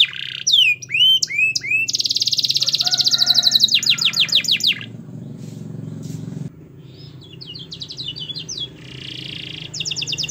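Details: Canary song meant to coax a reluctant canary into singing: looping whistled notes, then a long rapid rolling trill, a pause with background rumble like traffic, then short trilled bursts.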